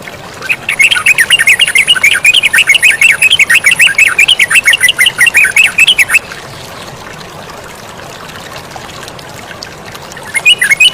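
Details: Yellow-vented bulbul singing energetically beside flowing water: a rapid run of short chirping notes, about three per second, holding steady for five seconds, then breaking off to a constant watery hiss before a few final chirps.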